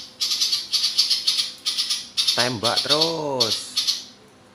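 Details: Ciblek Papua giving a long, rapid-fire song of dry, buzzy rattling bursts, high-pitched and repeated about twice a second; a lower, harsh, drawn-out squawk cuts in briefly midway.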